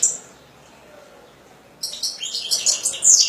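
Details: After a brief high note and a long quiet stretch, a hobbyist's European goldfinch launches into rapid, tinkling twitters that rise in energy to the end.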